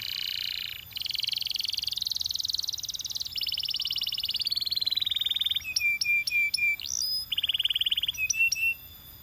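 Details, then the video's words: Belgian canary song made of sustained buzzy rolls at shifting pitch, followed by short clipped notes repeated in a stuttering series. "Belgian Canary Singing"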